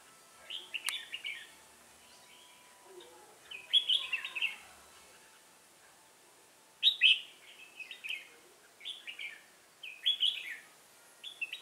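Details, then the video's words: Red-whiskered bulbul recorded outdoors during trapping with a decoy bird, giving short bursts of warbled chirps every few seconds against a quiet background, with brief pauses between phrases. "Bẫy chào mào"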